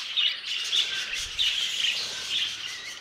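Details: Budgerigars in an old aviary, many birds chattering at once: a dense, continuous warble of high chirps and twitters with brief louder peaks, plus faint low rumbling underneath.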